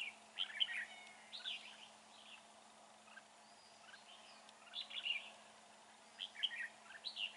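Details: Red-whiskered bulbul in a fighting trap on an overcast day with a northerly wind, singing repeated short warbling, slurred phrases in clusters a few seconds apart over faint background hiss.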